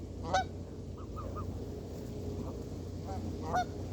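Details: Canada geese giving short honks, a few loud clipped calls near the start and end with softer honks between, over steady low background rumble.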